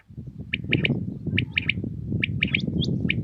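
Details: Common quail song at dawn in Pakistan, a run of rhythmic three-note bursts repeated roughly every 0.8 seconds, loud and clear above a muffled low background rumble.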